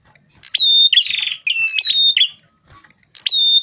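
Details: Lure recording of a rufous-fronted prinia in lively song. Bright whistled phrases with chirpy onsets and a grating buzzy note are followed by a gap of nearly a second, then another whistled phrase begins.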